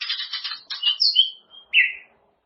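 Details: Training recording for caged white-rumped shamas: a rapid buzzy chattering burst, then clear whistled notes rising and falling, ending with a slurred descending whistle.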